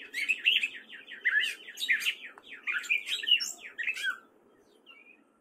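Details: Spring singing by a male gray catbird at Fairfield, Iowa: a rapid, unbroken babble of scratchy and whistled notes for about four seconds, then it fades to near quiet.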